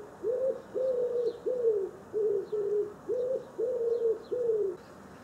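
A wood pigeon gives eight soft, low, hooting coos in a steady run, about two per second. Faint high chirps from small birds sound in the background.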